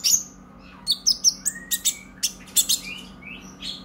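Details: Purple-throated sunbird song used as a lure for other birds: sharp high chips and short thin trills in quick bursts, with a few lower slurred whistles between them, over a faint background hum.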